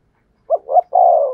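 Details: A single spotted dove phrase sung in the thổ sấm style: two short rising hoots and then a long, steady, vibrating coo that fades slightly at the end.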